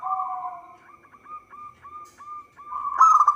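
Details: Local zebra dove song used as a trapping lure: an opening coo followed by an evenly spaced run of short hooked notes, about three per second, closing in a louder quick staccato burst.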